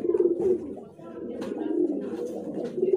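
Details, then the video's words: Domestic pigeons of named fancy breeds such as hare, fulsare, hude and Rampuri kabutar, heard indoors: low throaty cooing with soft rolling phrases, swelling at the start and end, under a faint room murmur. "all quality kabutar"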